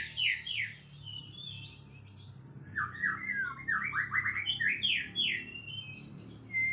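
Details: Oriental magpie-robin in lively ngekek-style song, rapid series of sliding, buzzy descending notes and scratchy chatters, fast and varied, over a steady low background hum.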